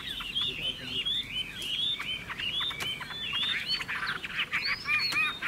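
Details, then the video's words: Caged Chinese hwamei singing: a fast run of short, rising and falling whistled notes with sharp clicks, dense and continuous throughout. "Họa mi chuẩn mẫu chim hót - Hót hay dáng đẹp"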